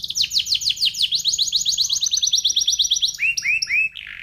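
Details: Canary of the F1SF line in a crystal-toned tutor song for shamas and young canaries: a long rapid roll of downward whistles, then lower looping slurred notes near the end.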